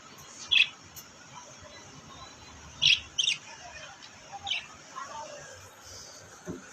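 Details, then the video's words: Brightly coloured parrot chirping: sharp high notes, one pair in quick succession and several singles spread irregularly, over a steady low background rumble. "Beautiful color parrot and chirping sound"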